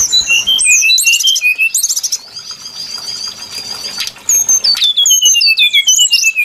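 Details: Brown-chested jungle flycatcher sound played as a trapping lure: clear high whistles in short rising and falling phrases, a long steady thin whistle in the middle, then a descending series of bright notes.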